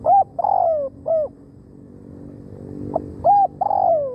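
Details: Spotted dove used as a trapping decoy: one complete phrase of short coo, long sliding rolled croo and closing hoot, then after a pause a second phrase beginning, with quiet background hum between.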